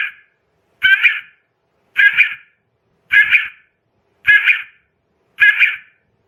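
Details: Female quail call of the kind used to lure quail for trapping: a single harsh, nasal, buzzy note repeated steadily about every 1.1 seconds, clean silent background.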